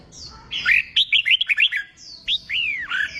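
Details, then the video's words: A red-whiskered bulbul trained for singing contests gives a clear, loud phrase of quick chopped whistles, followed by two drawn-out, curving downward notes. "Kích bổi nghe là hót, luyện chim hót đấu, luyện chào mào bổi sổ giọng"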